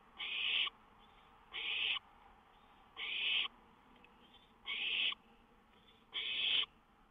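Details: Owl on a lookout after 1 AM on May 19, 2013, with a songbird close by; five loud, breathy screeching rasps, each under half a second, spaced roughly every 1.5 seconds, with soft hiss between them.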